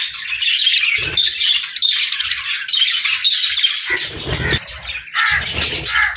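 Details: Chirping budgerigars at morning feeding time, several birds giving scratchy warbles and squawky notes in bursts, with brief low knocks between phrases.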